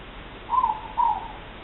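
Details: Morepork calling on 3 August 2014, two birds present; a clear disyllabic hoot with the second note lower and drawn out, the pair of notes spanning about one second amid quiet background noise.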